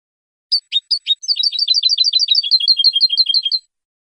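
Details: Clean song of a European goldfinch: a few separate sharp high chips, then a fast, even run of liquid twittering notes with buzzy accents, about three per second, ending suddenly; quiet background.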